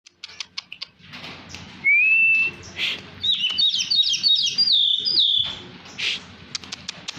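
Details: Tame, hand-tame Oriental magpie-robin of the black-and-white poci type, singing actively. A long, level whistle is followed by a rapid run of sweet, looping whistled notes. Sharp ticks and clicks come before it.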